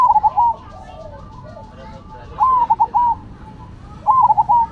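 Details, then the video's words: Cemani and Silver zebra doves singing energetically: three short phrases of bubbly, stuttering coos, each a quick cluster of wavering notes, spaced roughly two seconds apart, with faint softer coos in between. "Perkutut Cemani Gacor Vs Silver Gacor"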